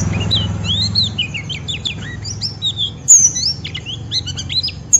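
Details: Rough ngeriwik of a white-eye drawing a rival into song: varied high twitters, rising and falling slurred whistles and sharp squeaks in lively sequence, with a faint low hum behind.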